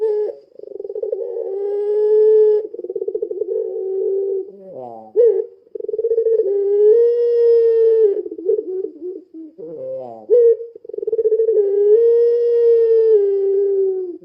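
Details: Puter pelung dove giving a lure call: drawn-out low coos with a rapid throbbing start and a smooth sustained tail. Each is split by a short descending sweep and a quick upslurred note, repeating roughly every five seconds.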